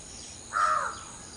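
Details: Common hill myna in the dawn chorus, preening and vocalizing, utters a single short, harsh, nasal croak. Behind it is a thin, steady insect hiss.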